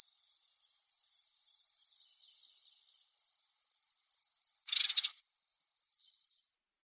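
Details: Long, high, dry reeling trill of a grasshopper warbler (Locustella), interrupted once by a brief rustling noise. The reel then resumes and ends abruptly.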